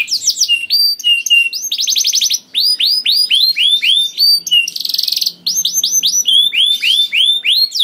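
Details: 'Gacor' canary song played to get other canaries singing: varied bright whistled sweeps, short rapid rattles and high chips in quick succession, with two short pauses.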